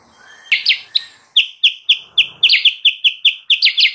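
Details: Sooty-headed bulbul song played as a lure for wild birds: sharp, bright chirps, some doubled, repeated in a steady series of about a dozen notes, quickening toward the end, with a quiet background.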